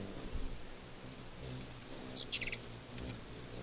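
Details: Ruby-throated hummingbird giving a brief burst of very high, thin squeaky chips, a rapid cluster lasting about half a second, over a low steady background rumble.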